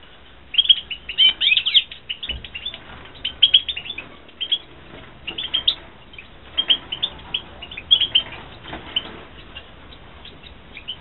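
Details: Goldfinches bred in captivity, 2016, singing a lively series of high, clipped chirps and quick trilled notes in repeated bursts every second or so, with faint hum underneath.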